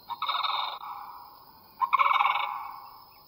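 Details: A sandhill crane call is played during an annual IBA bird count on an evening in farmland on the western slopes of Sodom Mountain, Granville: two loud, rolling, trumpeting calls, each under a second, throaty and rattling, over faint hiss.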